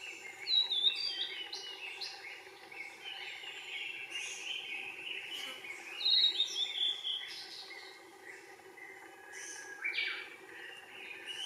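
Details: Blue-and-white flycatcher song in Yokohama, Japan, 18 May 2019: two bright, high whistled phrases that slide downward, about five seconds apart, over soft chirps of other birds and a steady low hum.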